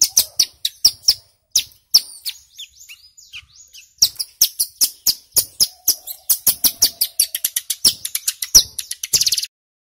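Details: Loud male mountain ciblek song, rapid rattling bursts used to provoke and attract wild birds; very high, sharp chirps pour out in fast trains, a short softer warbling passage, then accelerating stuttered notes ending abruptly.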